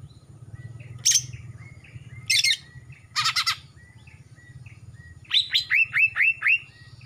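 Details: A young male greater green leafbird from Kalimantan, just past juvenile moult with a blackening throat, sings three loud, scratchy bursts, then a quick run of six bright, downslurred whistles, over faint chirps and a low hum.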